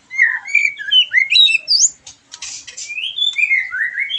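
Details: White-rumped shama song used to stimulate a bird after moulting: bright, varied whistled phrases sliding up and down, with a short burst of harsh rattling notes in the middle, in quiet surroundings.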